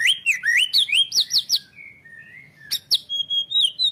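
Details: White-rumped shama song used as a model for training other songbirds, from Indonesia: quick varied whistled phrases swooping up and down, then long level whistles and sharp high notes, rich and melodious.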